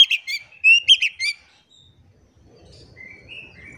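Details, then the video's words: Oriental magpie-robin singing as a lure to prompt silent magpie-robins to sing: a cluster of clear high whistles and quick chirps in the first second and a half, then faint scattered notes over quiet low rumble. "PANCINGAN KACER GACOR. KACER DIAM MALAS BUNYI COBA PANCNG DENGAN KACER INI"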